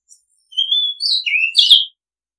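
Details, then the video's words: Oriental magpie-robin, recorded as a long-play calling sound: a level whistle rising slightly, a dipping lower note, then a loud cluster of sharp, high chirps closing the phrase. The background is silent. "Oriental Magpie Robin Sound Long play เสียงร้อง นกกางเขนบ้าน"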